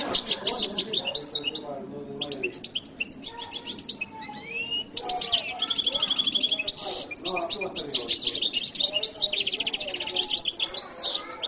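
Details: Continuous, energetic goldfinch song from the jilguero latino, packed with high chattering twitters, quick trills and brief whistled phrases that run together with few pauses; the second part of the recording.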